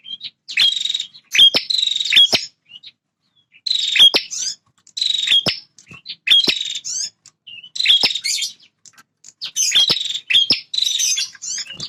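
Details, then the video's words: Male bar-winged prinia, a territorial fighter, singing very actively: harsh buzzy bursts with sharp clicks, in phrases about a second long, separated by short pauses and repeated through the recording. "Suara Prenjak Jantan Super Gacor"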